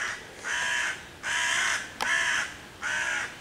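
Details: Four loud, rasping caws, evenly spaced about a second apart, from a hooded crow harassing five young raccoon kits in a tree on 11 June 2023, trying to chase the predators away.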